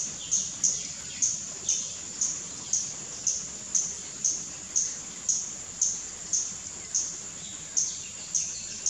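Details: Tickell's blue flycatcher in Perlene Forest, Goa, India, 2017, giving very high, thin, sharp notes, about two per second, in a steady series over a faint background hiss.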